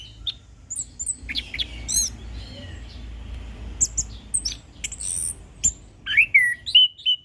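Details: Orange-headed thrush (anis kembang) giving a calm ngeplong-style tutoring song: scattered high thin whistles and chirps early, a brief lull with background hiss, then livelier sliding whistled notes and quick chirps toward the end.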